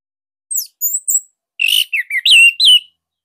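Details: Orange-headed thrush of the Bali form, sung as a master song to coax other thrushes into singing; its voice is unique, tight and loud. Two high descending whistles open, then a dense run of warbled, buzzy notes sliding around the middle range.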